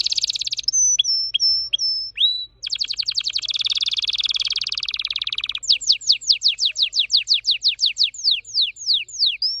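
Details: Song of a red factor canary, an orange-red caged singer: high clipped whistles, a long dry buzzing trill, then a rapid cascade of descending whistled notes ending in an upturned note.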